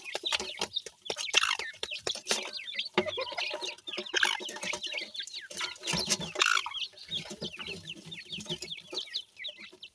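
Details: Group of partridge chicks, known as dakhni teetar, exploring and playing; steady chatter of high, wavering peeps from several birds with occasional clattering taps.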